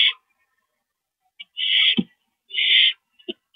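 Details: Owl at a rodent delivery, 28 March 2012, 9:01 PM: rasping hissy screeches, two longer ones close together, with short clicks and a brief thud between.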